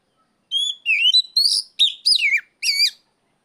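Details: Kacer calling out an opponent with loud ngeplong cries: a clear whistle, then a string of bright, steeply falling and zigzagging whistled notes in quick succession.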